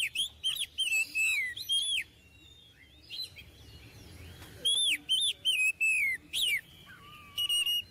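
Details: Lively Oriental magpie-robin song suited as a model for young magpie-robins: bright whistled notes sweeping up and down in quick bursts, a quieter spell midway, then another run of loud phrases and a low whistle at the end.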